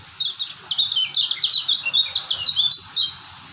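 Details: White-eye (kecial kuning) from Lombok, a steady singer: a rapid three-second run of high, sharp twittering notes, each a brief downward slur, tumbling together in a lively continuous chatter.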